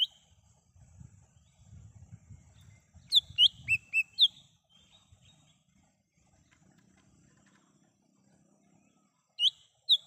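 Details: Lesser green leafbird song recorded in the wild, used to lure and call birds: four quick bright whistled notes with sharp sweeps, a soft low rumble beforehand, and two more notes near the end.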